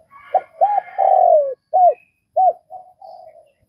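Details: Spotted dove from Vietnam cooing: two short arched coos, then a long drawn-out coo sliding downward, followed by further short arched notes and softer trailing coos, with faint high chirps from other birds.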